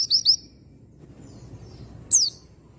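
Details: Oriental white-eye lure sound meant to get an untrained male singing quickly: two quick, thin, high chirps open the recording, then after a pause a single sharp, downward-sweeping high note, over a low steady background hum.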